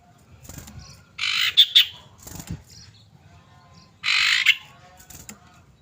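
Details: Female common iora calling to a male: two rough, buzzy chatter bursts about three seconds apart, each with a couple of sharp accented notes, and faint knocking between them.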